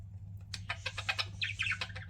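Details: Pet budgies chirping, a mix of short chattering notes and a few bright whistled downward trills near the end, over a steady low hum.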